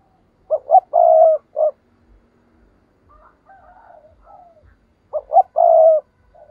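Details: Decoy spotted dove: a low, hollow coo-coo-crooo phrase with a trailing short note, answered by faint higher cooing, then the same phrase repeated about four and a half seconds later.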